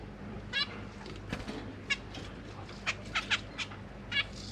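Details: Caged zebra finches, parents feeding three juveniles and three new babies; short nasal, buzzy single chirps with stacked harmonics, about eight of them at irregular intervals, over a quiet low hum.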